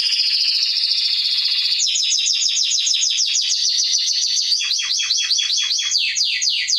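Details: Canary (Serinus canaria) song for training young birds opens with a long, dense, buzzy rolling trill, then breaks into fast repeated high downslurred notes that continue steadily to the end.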